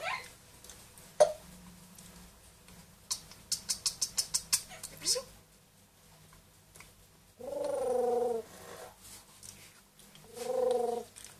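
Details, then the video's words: Pet grey parrot aged two and one-year-old Amazon parrot indoors, talking and mimicking sounds: a quick run of sharp clicks, then two drawn-out, nasal, meow-like harmonic calls in a quiet room. "quelques mot et bruitage des perroquets"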